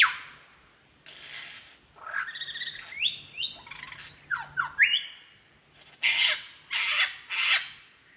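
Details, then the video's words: Lyrebird imitating other species in Sydney's Royal National Park: a jumble of varied whistled slides and rising notes, followed by three loud harsh screeching bursts. "Mimicking sounds of the Lyrebird"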